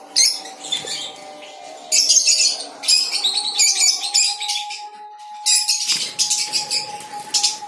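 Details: Colony of breeding lovebirds, kept alongside cockatiels and budgerigars in Tripura, producing loud squeaky chattering bursts separated by short pauses, with a constant low hum and some wing flutter in the background.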